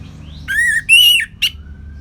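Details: Kept orange-headed thrush from Singaraja, Bali, in ngeplong style: three loud whistled notes, a rising slur, a longer bright level whistle, then a short sharp chip.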